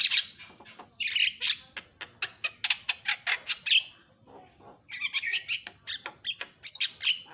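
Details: Javan myna, previously silent, turns noisy within seconds of hearing a lure call. It gives harsh, rasping squawks and chattering notes in rapid bursts, with a brief whistled tone mid-clip and more scratchy chatter after.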